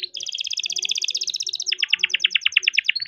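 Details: Young farm-bred canary rolling its song to coax lazy canaries into singing: a fast, even high trill that shifts midway into slower, louder descending notes, rapidly repeated throughout.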